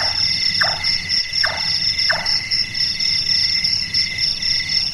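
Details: Large-tailed nightjar, known locally as burung tukang or burung malas, a night-active bird whose voice is likened to someone doing carpentry. Three hollow knocking notes come about 0.7 seconds apart, then stop, over a steady shrill drone of insects.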